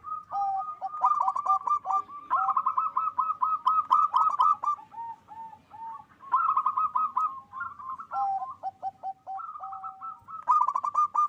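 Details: Several captive local zebra doves at a Bekasi, West Java breeding farm, loud singers meant to raise mating drive. Overlapping rolling coo trills and lower stepped notes run almost continuously with brief gaps.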